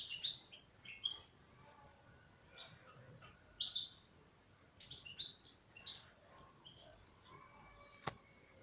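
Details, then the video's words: Softer twittering song of a female European goldfinch, scattered chirps and short trills broken by pauses, with a faint steady tone and a sharp click near the end. "تغريد انثى حسون"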